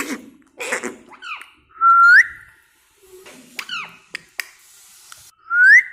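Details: Pet talking parrot saying "mitthu mitthu" indoors, mixing short vocal syllables with clear rising whistles that sweep upward, heard twice, with scattered clicks and faint room noise.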